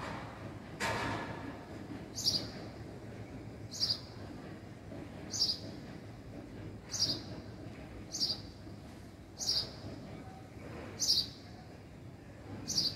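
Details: House sparrow giving a long run of about nine short, bright chirps, one every second and a half or so, after an initial sharp knock, over low background noise.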